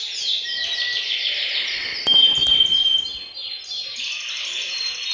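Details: Canaries in a bird room sing as a group to set males singing. Busy overlapping trills and chirps fill the recording, with a pure whistled tone held for about a second and a couple of sharp knocks partway through.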